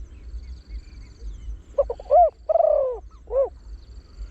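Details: Trained deep-voiced Spotted Dove used for luring wild birds, in the 'khan yon 1 kuk' style. A single full phrase: clipped low notes, an upswept arched coo, a drawn-out falling coo and a short final coo, over soft background hum.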